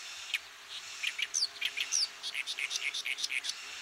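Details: Oriental Reed Warbler, a Japanese bird of farmland, grassland and waterside. Loud, harsh, rapid chattering notes with scratchy clicks and two sharp rising whistles, delivered in an uneven stuttering run over a quiet background.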